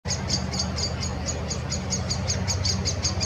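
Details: Blackbird scolding a pair of jays that got into its nest tree, driving one away; sharp, high chinking notes repeated rapidly about four to five per second, over a steady low rumbling background.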